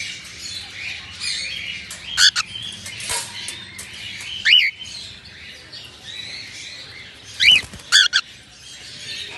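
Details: Red-eyed albino cockatiels in their morning routine: several loud arched chirps come in irregular bursts, some in quick pairs, over continuous soft chatter from the flock.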